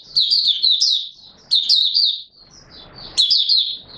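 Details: Oriental white-eye (Mata Puteh Raja) beginning to sing, 24 March 2022: three bursts of rapid, high slurred twittering, each about a second long, with a soft rustling noise in the gap between them.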